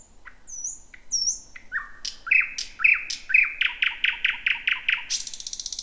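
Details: Thrush nightingale singing at night, first of 2026, heard at 23:58 in dense bushes near Roadyfield; high whistles and a sweep, then a run of loud, evenly repeated clicking notes about twice a second, ending in a harsh burst.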